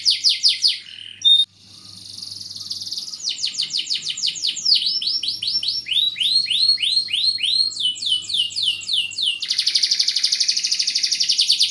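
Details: Caged canary singing in the Indonesian cengkok mewah style in full song: rapid high trills, then series of rising, sweeping whistled syllables repeated several times a second that change pattern every few seconds, ending in a fast, dense buzzy roll.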